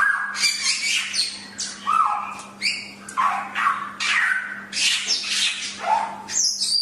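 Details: Chinese hwamei (samyong) on a tutor recording giving a string of harsher, buzzy phrases mixed with short downslurred whistles, in loud bursts about every half second over a faint low hum.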